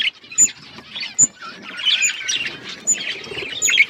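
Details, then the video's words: Outdoor aviary of budgerigars: soft warbled twitters from the flock with repeated bright, very high squeak notes standing out every second or so. "Budgies flocks in outdoor aviary budgies colour budgies chirping sounds"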